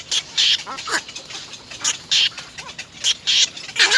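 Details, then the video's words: At a nest of three little egret chicks biting their mother to be fed, coarse hissing begging rasps repeat roughly every half second, mixed with softer lower squeaky chatter between bursts. "Three baby birds bite their mother to feed"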